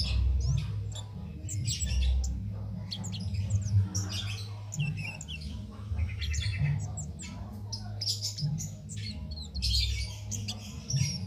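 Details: Cit keres bird singing nonstop without stimulants, recorded as a master for training contest songbirds; thin high chirps and short twittering notes come in loose bursts over a steady low hum.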